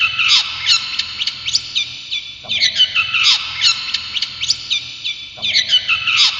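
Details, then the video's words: Brown shrike, a favourite pet songbird and skilled mimic, repeating a phrase about every three seconds: a loud downslurred note followed by a string of crisp high chirps. "Masteran Burung Cendet ! Pentet Durasi Panjang Buat Masteran"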